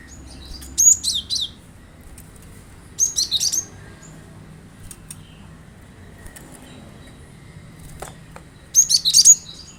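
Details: Lure recording of a cinereous tit for prompting caged birds to sing: three bursts of rapid, high-pitched twittering notes, a few seconds apart, with a faint low background rumble.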